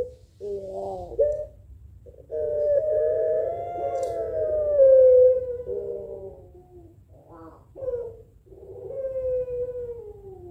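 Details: Barbary dove (puter pelung) answering a rival in an exchange of calls: several long, drawn, hollow coos, the main one sustained for about three seconds, followed by shorter wavering notes and a final falling coo.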